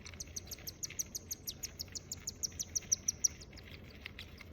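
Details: Nine-day-old cockatiel hatchlings give rapid, thin, high chirps, several each second, in a steady insistent stream.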